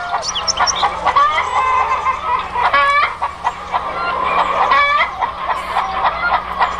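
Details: Several farm chickens clucking and cackling continuously, some calls rising sharply, over a constant low hum.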